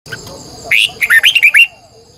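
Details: Red-whiskered bulbul decoy bird singing in the morning, 2020, used to call wild birds: a long, strained double-voiced twisting phrase. A quick run of about seven loud, clear whistled notes rising and falling. Faint background noise before and after.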